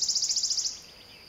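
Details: Wood warbler song: a fast trill of high, evenly spaced notes repeated about a dozen times within under a second, accelerating into a shivering run, then fading into steady background hiss.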